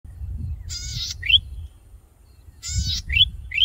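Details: Male golden-headed cisticola in breeding plumage, perched high on a tall grass stalk singing to attract a mate: a harsh buzzy phrase followed by a sharp rising whistled note, given twice; low background rumble.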